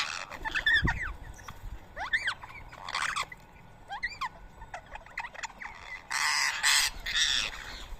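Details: Rose-ringed parakeets at a morning feeding of soaked boiled rice in Coimbatore, India, 31 March 2024; shrill screeching calls in quick bursts, several birds overlapping, with broad rustling or flapping noise near the end.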